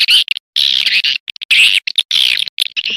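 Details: Swiftlet calls meant to attract the birds: bursts of scratchy, buzzy twittering, each roughly half a second long, separated by short silences and scattered tiny chips.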